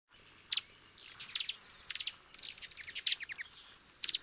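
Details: Hummingbird from Argentina: sharp, very high chirps and short buzzy trills in bursts, some notes grouped in quick rapid series, with quiet gaps between bursts and no other clear sounds.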